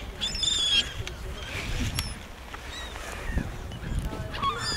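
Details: A Glaucous-winged gull at the harbour in Aarhus, Jutland, Denmark, in February 2010, gives short, nasal, honking calls, strongest in the first second, over murmured human speech and steady outdoor background noise.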